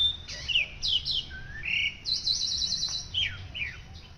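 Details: White-rumped shama song used as masteran, a master recording for training other birds: varied clear whistled phrases, some sliding down and others rising, with a short sustained buzzy note near the middle, over a faint low hum.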